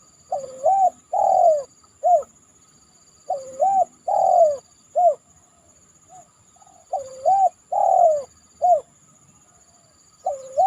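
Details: Spotted dove calling after heavy rain, giving deep, hollow three-note coos with the last note drawn out, the phrase repeated about three times with pauses between, over a steady high thin whine in the background.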